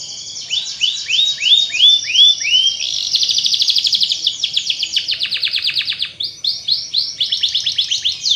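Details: Canary song used to get other canaries singing: a series of repeated descending swoops, then a long fast rolling trill, followed by more quick sweeping notes, bright and loud throughout.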